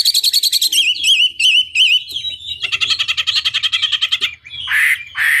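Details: Chinese hwamei singing in a lure recording to make an opponent respond: rapid wavering trilled whistles, a fast buzzy rattling passage, then a couple of harsh, noisy squawks.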